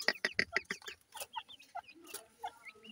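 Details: Grey francolin chicks kept for sale in Multan. A few loud clicks open the passage, followed by scattered thin, high, down-slurred and up-slurred peeps from several chicks.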